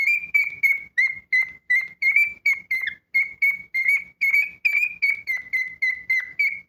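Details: Pet cockatiel whistling an interesting tune: a steady series of clear, mid-pitched whistled notes, each short and slightly wavering, about three per second with brief pauses between, in a quiet room.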